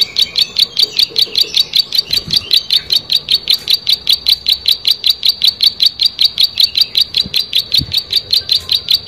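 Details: Plain prinia in energetic song, delivering a long unbroken run of sharp, buzzy high notes at a quick even pace of roughly two and a half per second, with faint low thumps in the background.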